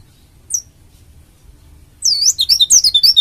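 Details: Oriental white-eye from Bali in dakun style, used to coax other white-eyes into song: a lone high chirp, a pause, then a quick run of bright, looping whistled notes.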